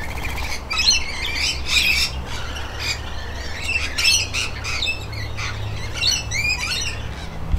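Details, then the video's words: Rainbow lorikeets bathing: a pair, the male described as leader of his group with a combative mate, after driving other lorikeets away. Harsh, screechy squawks come in rapid bursts throughout, over a steady low rumbling hum. "Ranbow Lorikeet having a bath"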